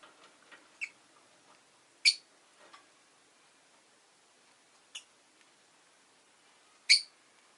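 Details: Rosy-faced lovebird, with city noise present; sparse, sharp, high chirps, two of them strong and bright, separated by gaps of two to five seconds, with a few fainter ticks between.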